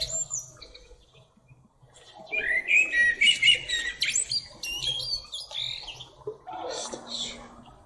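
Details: Perched atop a tree, a blackbird sings after a quiet pause: a rich, fluted warble breaking into a rapid run of twittering, squeaky high notes, then a faint final flourish, with a soft low hum beneath.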